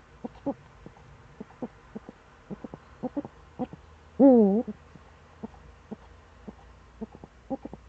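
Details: Eurasian eagle-owl recorded in the Eifel, 26 September 2013 in the morning: evenly scattered short hoarse notes throughout, broken by a single loud wavering call a little past four seconds.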